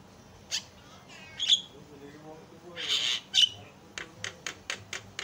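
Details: Javan myna (jalak kebo) on a masteran recording meant to make other mynas sing: harsh bursts and a sharp whistled note, a broad rasping squawk, then a quick string of dry clicking notes.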